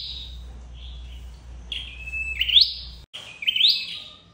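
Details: A red-headed flowerpecker, recorded as a trapping lure, gives high, thin buzzy notes in two quick bursts, each ending in a sharp rising sweep, over a faint low hum.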